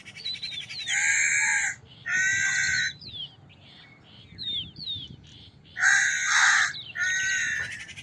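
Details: Crow cawing: three hoarse, drawn-out caws in about eight seconds, with the pause between the second and third. Small birds chirp and whistle in the gaps.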